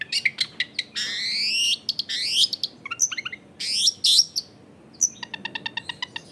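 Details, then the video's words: Long-tailed shrike song serving as a lure for other shrikes: dense buzzy rising sweeps and chattering notes, then a quick train of evenly spaced ticking pulses, over a low hum from a busy neighbourhood. "SUARA CENDET GACOR PIKAT AMPUH BIKIN BURUNG CENDET LAIN LANGSUNG ON DENGAN MUDAH NYAUT GACOR DOR"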